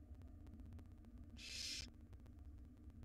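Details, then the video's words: One raspy, hissing screech of about half a second from a barn owl nestling begging as its mother feeds the brood a jird in a wild nest box, set against a steady low droning hum. "Owl dinner: Barn owl feeds her nestlings a jird (similar to a gerbil)"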